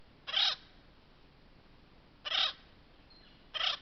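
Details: Acorn woodpecker calling while drinking at a stump water hole; three harsh, raspy bursts, each about a quarter second long and spaced one to two seconds apart, over a quiet background.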